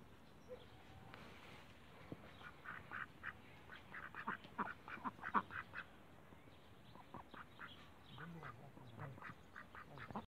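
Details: Backyard Cayuga ducks quacking in ragged runs of short nasal notes, busiest in the middle stretch, with quieter gaps and low rumbling background noise.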